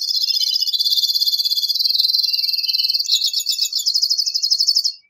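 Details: Two-barred crossbill delivering a dense, buzzy trill with ringing overtones that jumps to a higher, faster, bouncing trill for the final two seconds.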